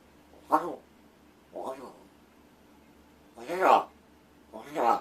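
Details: Rescued large-billed crow kept indoors, practising talking, attempting words such as 'good morning' and 'food' while its owner feigns sleep; four rough, speech-like utterances with harmonic overtones, irregularly spaced, with a low hum behind.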